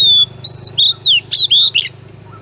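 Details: Female Oriental magpie-robin singing in the early morning to provoke males. Long level whistles give way to quick, twisting, buzzy whistled notes over a steady low hum.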